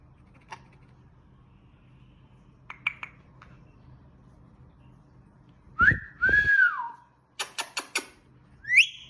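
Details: A green pet Indian ringneck parakeet, mostly quiet with faint clicks at first, then loud curving whistles that rise and fall, a burst of sharp repeated clicks, and a last rising whistle.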